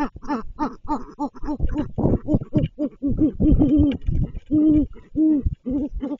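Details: Great horned owl at its nest during a food delivery gives a rapid run of short, deep, soft hoots, some drawn into longer mellow notes, in an irregular stuttering series.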